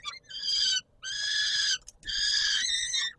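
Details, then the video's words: At evening feeding time on 17 July 2022, a peregrine falcon at Warsaw's Palace of Culture and Science utters three long, hoarse, rasping screams, each close to a second, separated by short pauses. "Sokół wędrowny PKiN Warszawa - Chłopaki wstawać kolacja"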